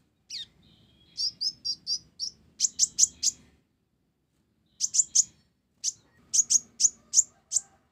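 A sunbird sings rapid series of thin, high chirps and sharp ticking notes in short bursts, with brief pauses between phrases.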